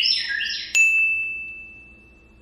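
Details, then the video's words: Pet African grey parrot copying the house's door alarm: a warbling high whistle ending in a sharp ding that rings on as a steady pure tone, fading slowly. "African Congo Grey Parrot, Talking Parrot Sammy copied RING DOOR ALARM !"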